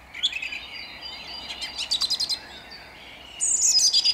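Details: Song thrush singing at dawn in Jabłonna on 29 April 2021: loud, high phrases of quickly repeated notes, a run of about six evenly spaced notes mid-clip, then a bright whistled phrase with rapid repeats at the end, other soft bird notes beneath.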